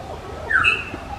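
A Black-hooded oriole gives one brief whistled phrase: a slurred, falling note followed at once by a higher, clearer note, over a faint low background hum.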